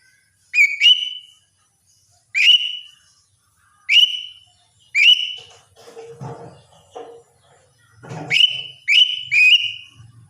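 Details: In the morning a lesser green leafbird gives a series of about seven bright whistles with abrupt upward starts and sustained level endings, about one every one to two seconds, with soft low rustling in between.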